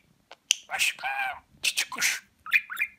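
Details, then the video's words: A talking pet budgerigar from Rize, 2020, repeats taught Turkish phrases such as 'Babacık Aşkım'. Three quick, strained speech-like bursts rich in harmonics, with a clicking onset and a short squeaky chirp at the end. "Konuşan Muhabbet Kuşu"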